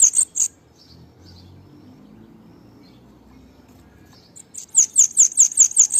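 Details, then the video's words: Bananaquit song: a brief high note pair opens, then quiet with soft chips, followed by a long series of thin, sharp, rapidly repeated high notes. "UM luxo o canto do sibite"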